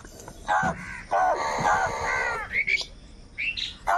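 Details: Crows, described as angry and calling together for food while fighting over it, give loud, harsh, drawn-out caws in a rapid series of about four long calls, then shorter rising calls near the end over a faint outdoor background.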